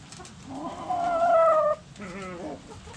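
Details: Backyard rooster among hens: a loud, strained crow rising then held level for about a second and abruptly cut off, followed by a softer wavering call, with faint clucks in the background.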